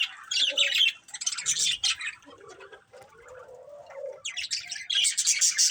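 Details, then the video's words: A colourful budgie family chirps in dense, scratchy bursts, with softer lower warbling murmurs in the middle before loud high chatter returns. "Cute Colourful Budgies Chirping Sounds"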